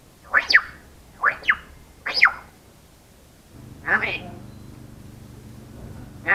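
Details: A pet grey parrot mimicking speech in clipped, human-like syllables, apparently Indonesian-style words: three quick two-part phrases about a second apart, then more words over a low indoor hum.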